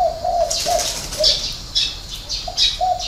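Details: Spotted dove from a dove-keeping garden in Ba Vì, Hanoi, northern Vietnam, singing the six-note style with a three-note ending: low, hollow coos in a rolling series, with chirping from other small birds overhead.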